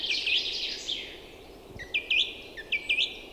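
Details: Bird song in early spring on a fine April day in forest and meadows by a river freshly free of ice. A blurred warble leads into crisp, repeated looping whistled notes, about five in under two seconds.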